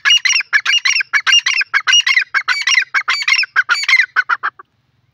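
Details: Teetar or grey francolin giving a loud, fast, repetitive chattering call, a string of harsh ringing syllables that runs for about four and a half seconds and then stops abruptly.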